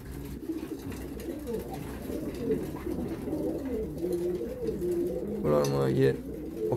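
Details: Pigeons indoors during winter mating, giving low, throaty rolling coos that overlap continuously, with a brief rustle or flutter toward the end.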